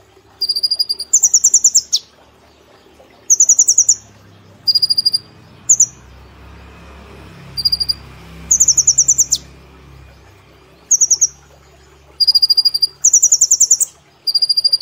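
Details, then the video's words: Brown-throated sunbird, a contest bird, sings quick bursts of very high, thin, metallic chips, each under a second, repeated every second or two over a faint low rumble; a master recording to stimulate other birds. "Kolibri Ninja Gacor Nembak Platuk Cililin Sejalur"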